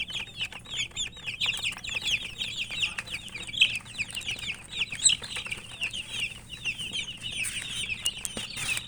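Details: Many chicken chicks chirping while eating: a dense, continuous chorus of rapid, high, thin peeps that overlap constantly, with soft clicks and scratching from feeding throughout.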